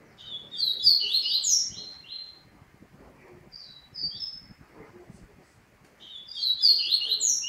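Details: Double-collared seedeater giving a loud burst of rapid, buzzy high twitters, a short quieter phrase after a pause, then another vigorous burst at the end; low background murmur between phrases.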